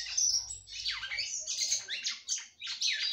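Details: A female red-cowled cardinal in captivity sings to stimulate her mate, pouring out buzzy, down-slurred squawking notes in quick succession with barely any gap.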